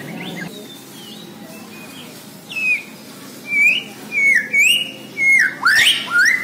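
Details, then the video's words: White-rumped shama (Borneo murai batu) singing a series of loud clear whistled phrases, each slurred and dropping, repeated roughly every half second to second. "MURAI BORNEO GACOR DARRR DERRR DOORRR"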